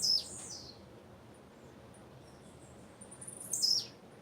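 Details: Female blue-black grassquit calling: two brief, thin, very high chirps, one at the very start and another about three and a half seconds later, separated by quiet background hiss.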